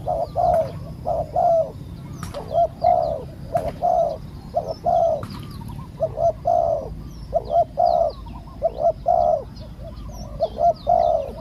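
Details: Spotted dove decoy calling during the 14th catch of a wild bird with a small voice. A long run of soft coos pulses about once a second, with sharp clicks and faint high twitters of other birds mixed in.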